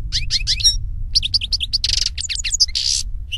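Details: European goldfinch song in nature: quick chirping notes, a run of bright twitters and harsh buzzy bursts, delivered rapidly over low background rumble.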